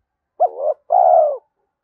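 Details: One two-part coo from a spotted dove challenging a rival, a 'thổ'-voiced bird meant to lure wild doves closer: a brief rising-wavering note, a short pause, then a longer smooth descending coo. No other sounds.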